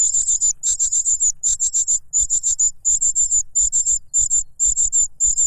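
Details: Noisy cuckoo chick begging as its foster father feeds it a butterfly. Very high, rasping, buzzy notes in quick clusters of three to five, repeated almost without pause.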